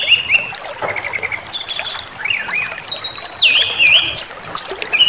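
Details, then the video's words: Brown-chested jungle flycatcher song to stir a bird into rage. Long sustained high whistles alternate with rapid stepped trills and wavering notes that dip and rise, one phrase after another with little pause. "Pancingan Emosi SRDC Awas Ikut Ngamuk Bongkar Materi"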